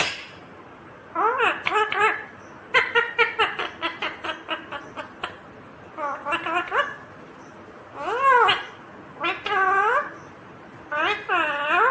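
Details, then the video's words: Indian ringneck parakeet, green, chattering in mimicked speech: rapid strings of clipped syllables, then several long arched, wavering phrases, the parrot talking almost continuously for twelve seconds. "Natural Sound of Talking Ringneck green parrot"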